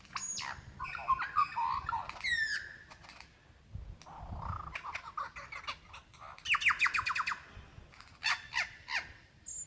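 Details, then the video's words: Mate-seeking lyrebird in Dandenong Ranges National Park, Victoria, Australia, February 2016: mixed chattering and whistled phrases, a fast rattling run of clicks in the middle, then scattered high notes. "sounds of a Lyrebird calling for his mate"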